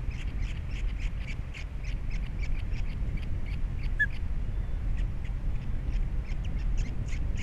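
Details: Captiva osprey nest with three young, February 2022, after the female has flown off; a long fast series of faint chirps, briefly pausing midway, over steady wind noise.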